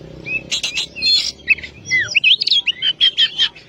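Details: Oriental magpie-robin in loud, vigorous full song, used as a tutor recording for other songbirds: clear whistled notes and slurred rising and falling phrases, ending in a rapid run of bright repeated chirps.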